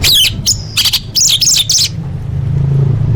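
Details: Rapid jumbled phrase of high scratchy notes and a short whistle from an orange-headed thrush full fill-in training recording for contest birds, ending in low hum.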